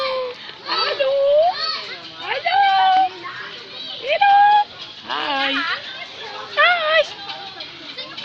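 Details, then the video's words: A talking cockatoo at Manila Zoo repeats short, nasal 'hello'-like words with clear whistled tones, about a second apart, saying hello, hi and what's your name, while people chat and children call in the background. "Talking cockatoo"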